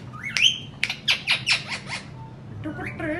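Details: Indian ringneck parakeets making sounds: a short rising screech, then a quick run of five harsh squawking notes, followed after a pause by a softer wavering squawk, over quiet room hum.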